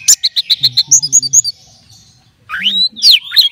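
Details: Caged orange-headed thrush, readied for competition, gives a fast series of about a dozen repeated bright notes, then after a pause a loud sweeping rising and falling whistle phrase.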